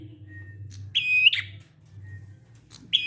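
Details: Prinia singing to draw other prinias into song: a short buzzy trill with a bright chirp near the start, a fainter broken note after it, and another phrase beginning at the end, over a low humming background.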